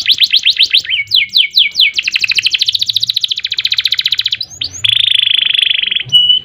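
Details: Singing canary in full, sustained song with 'ngerol' rolling trills and sharp 'nembak' bursts: fast descending chip series give way to a long rapid high trill, then a dense buzzy sustained trill and a closing whistle.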